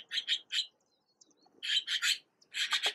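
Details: Fledgling Red-billed blue magpies in Uttarakhand, India, being fed by a parent: loud harsh grating calls in clustered bursts of two to four notes, separated by a short pause.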